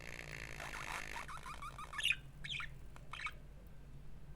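A budgerigar chatters in quick, scratchy bursts mixed with short, bright chirps.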